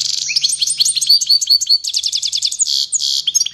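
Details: Worked-up European goldfinch song: quick bright tinkling notes and repeated rising chirps run into fast trills and a harsh buzzy stretch, all high-pitched and unbroken for several seconds.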